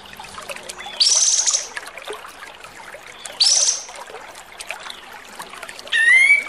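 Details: Javan white-eye training (tutor) recording: three short bursts of high, rapid twittering notes, about two seconds apart, over a soft trickling hiss.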